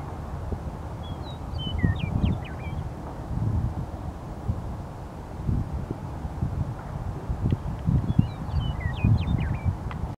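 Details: Two short Western meadowlark songs on the prairie of Mt. Sentinel, Missoula, Montana, bubbling flute-like phrases that drop and gurgle, sound about six seconds apart over steady wind rumble, with some construction noise.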